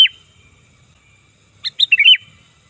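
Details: Sooty-headed bulbul lure call: a single bright note at the start, a long quiet gap, then a quick phrase of several bubbly fluty notes rising and falling.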